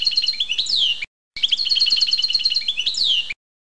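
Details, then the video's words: Goldfinch song notes shown as named note types: two fast twittering phrases of high tinkling, liquid notes ending in downward-slurred whistles, with a brief pause between them. "أسماء بعض النوطات الخاصة بالحسون الجزء الأول"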